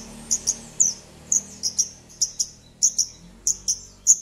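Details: A prolific Javan bush lark sings as a lure for a bird that has stopped singing. Very high, sharp chip notes come in quick pairs, repeated steadily throughout against a quiet background.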